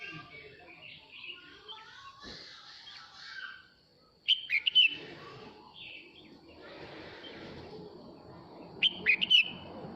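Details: Male red-whiskered bulbul singing to call the flock: two bright, quick warbling phrases about four and a half seconds apart, with soft chatter beforehand and background noise.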